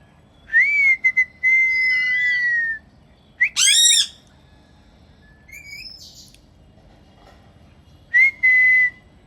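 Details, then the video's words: Angry, vehement parrot calling: a long, steady whistled note that falls slightly, a burst of harsh, ringing screeches near the middle, a brief rising whistle, then a short whistle and squawk pair at the end. "The Sounds Those Vehement Parrots Make"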